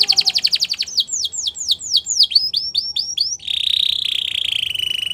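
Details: Belgian canary song: a fast pulsed trill speeds into a run of arching whistled notes, then a string of smaller hooked notes, ending in a long level buzzy trill.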